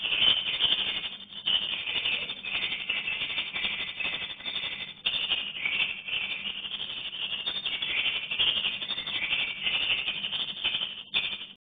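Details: Swiftlet colony moving into its nesting house: a steady wall of shrill, buzzy chirps and rattling clicks that keeps going, with loudness pulsing up and down throughout.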